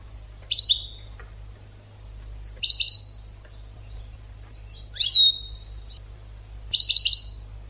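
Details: European goldfinch on an educational tutor recording for training birds: four short bright twittering bursts, each a quick cluster of high notes, spaced about two seconds apart over a quiet background.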